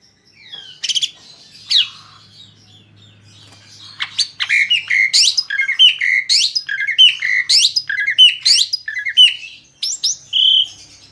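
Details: Asian pied starling singing to lure other birds into singing; a busy, high stream of varied whistles, chirps and sharp squawky notes, with falling slurs and quick repeated phrases, a low hum beneath.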